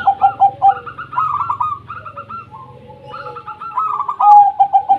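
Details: Zebra doves of the local wild type, singing to encourage silent doves: continuous pulsed cooing with higher trilled phrases interwoven over lower clear notes, ending in a loud run of steady beats.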